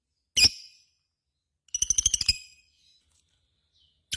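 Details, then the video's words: Lovebird gives one harsh shriek, then a short burst of quick, rattling ngekek chatter lasting under a second, followed by near silence and another sharp note. "SUARA BURUNG LOVEBIRD GACOR,Jago Ngekek Bikin Lovebird Apapun Langsung Ikutan Nyaut Ngekek Koekk"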